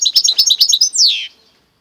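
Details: Goldfinch and canary hybrid mule singing: a quick run of bright, high chirped notes ending in a longer whistled note that slides downward.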